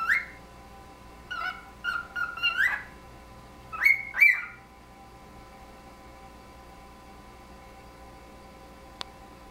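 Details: Two pet cockatiels exchanging whistles in a friendly conversation: a few softer falling whistled notes, then two sharp rising wolf-whistle swoops near the middle, followed by quiet with one faint click.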